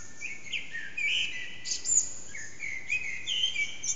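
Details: Dawn song of a Eurasian blackbird around 4:30am, recorded on an HTC Desire phone in an echoing backyard, bird not visible: several warbled whistled phrases, some swooping up, each trailing into thin high squeaks, with light background hiss.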